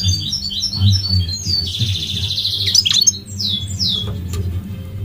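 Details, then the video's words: Goldfinch in full song: rapid high twittering notes lead into a long buzzy trill, then a few downslurred liquid whistles, with a constant low background hum. "The elegant migratory goldfinch sings the most beautiful singing"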